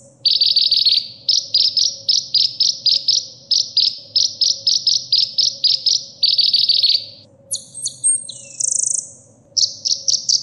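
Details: Sunbird singing, recorded as training material for caged birds: repeated bursts of rapid high chirps, about four per second, then a varied phrase of piercing whistles and a brief buzzy trill, with a faint low hum.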